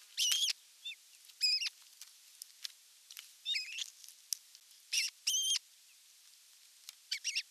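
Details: Ospreys on a camera-watched nest at evening feeding time, 30 June 2022: sharp whistled cheeps in quick pairs and runs, loud and piercing, separated by brief ticks and soft rustling.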